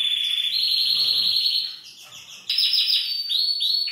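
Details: Male canary singing to arouse a female for mating: a long, level, rolling trill, a brief softer pause, then a loud burst of fast, rising and falling trilled notes.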